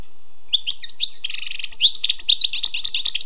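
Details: Wild European goldfinch in full song: brisk tinkling chirps lead into a brief buzzy rattle, followed by a continuous stream of sweet, varied twittering notes.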